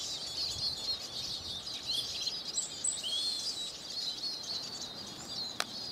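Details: Eurasian siskin twittering steadily, with thin high trills and a drawn-out wheezy falling note near the middle, ending with a faint click.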